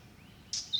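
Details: A skulky White-eyed Vireo singing in summer at Great Dismal Swamp National Wildlife Refuge, probably moving along its territory border: a sharp, high note, then a quick, falling slurred whistle over a soft outdoor hiss.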